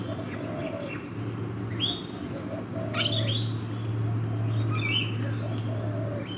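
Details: Backyard rainbow lorikeets while feeding make a few sharp, rasping screeches in quick clusters, separated by gaps, above a loud steady low drone.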